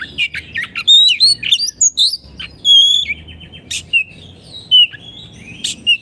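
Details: Energetic kacer, the Oriental magpie-robin, in 'gacor' song for tutoring caged birds: a rapid run of rising and falling whistles and chattering clicks, then long pure whistled notes and scattered ticks.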